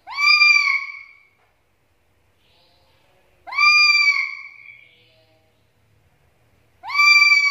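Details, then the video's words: Calling black-capped lory: three loud, harsh squawks about three seconds apart, each sweeping up sharply and then holding a nasal, ringing tone before fading. "PANCINGAN DAN MASTERAN BURUNG NURI KEPALA HITAM GACOR"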